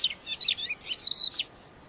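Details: Crested lark, described as a wild-caught bird in full song, giving a short phrase of high twittering notes and a sustained clear whistle near the end, then quiet.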